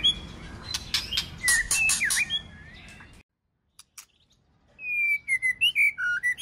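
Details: Female white-rumped shama calling to prompt the male to sing: a noisy first half with clicks and scattered chirps, a near-silent gap, then a quick run of clear, sweet whistled notes dropping and rising.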